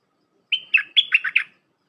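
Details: Red-whiskered bulbul with a pure 'dok' phrase for tutoring young birds: one crisp burst of six notes, a held whistle followed by clipped falling notes, clean with no other sounds.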